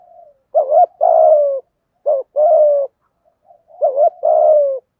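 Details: Three two-part phrases from a spotted dove in 'giọng thổ' 'thúc gù' style, used to rouse birds being trained: a quick rising-falling note, then a drawn-out mellow coo, about a second apart, with nothing else audible.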